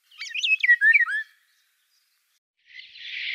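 Eurasian golden oriole: a quick phrase of slurred, fluty whistles that dip and swoop, then a pause and a rising harsh, rasping burst.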